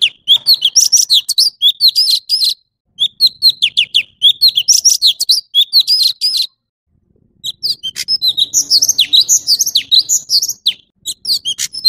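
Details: Male orange-bellied leafbird in full song: loud bursts of rapid, varied high whistles and sharp chips. Phrases last two to three seconds and are split by short pauses, and the last phrase turns more scratchy and jumbled.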